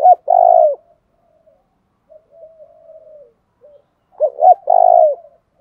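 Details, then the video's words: A decoy spotted dove in the tho dong, thuc dau calling style. A loud long coo opens the clip, quiet murmuring coos follow, then two clipped notes lead into another drawn-out hollow coo. "tieng cu gay tho dong thuc dau thuc dau"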